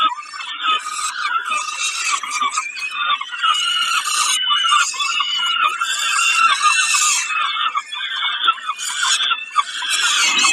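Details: Continuous, raspy, high squealing from a peregrine falcon at Kawęczyn on 20 May 2022, heard during a snack; the calls pulse unevenly in loudness for about ten seconds with small clicking noises.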